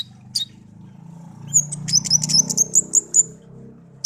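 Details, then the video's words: Tame songbird, raised by hand from a young bird found in a garden and kept as a pet for a year; a quick series of thin, high, evenly spaced whistled notes over a low humming background. "burung kicau peliharaan"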